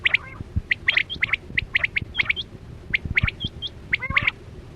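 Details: Quail call used to lure birds into hunting nets: dense, rapid chirp clusters at a bright pitch, mixed with thin rising high notes and a short descending buzzy series near the end.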